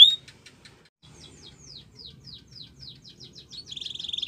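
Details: A Belgian canary sings for training, to prompt other birds to sing. A soft opening, a string of quiet descending notes, then a louder buzzy trill at the close.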